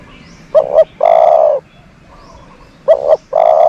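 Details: A dove used as a lure for other doves, uttering two phrases a little over two seconds apart: a quick paired note, then a full, steady low coo.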